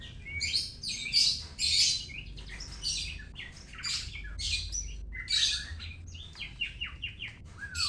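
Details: Dense, energetic song of a white-rumped shama from Medan: harsh buzzy bursts and scratchy high chatter tumbling together, ending in a few quick descending whistled notes, with a low hum behind.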